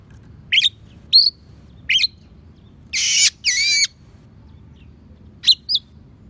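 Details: Oriental magpie-robin delivering a song filled with copied sparrow and prinia calls, used to train other songbirds; spaced sharp chirps surround two loud harsh buzzy rasps in the middle.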